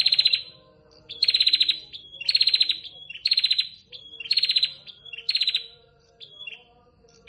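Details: Calling to the male, a female prinia gives six or seven harsh buzzing bursts of quick pulses, about one per second. Each burst is followed by a brief high whistled note.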